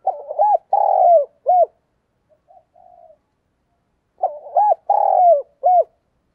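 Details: Decoy spotted dove cooing to lure wild doves: two loud bursts of three to four low, hoarse coos, each phrase closing on a short upswept note, separated by a near-silent gap with faint soft murmurs.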